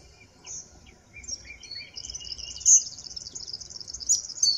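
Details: Eastern double-collared sunbird from an isolated East African sky-island population, singing a thin, high twittering song of sliding whistled notes that builds into a fast, continuous jingle, over a faint low rumble.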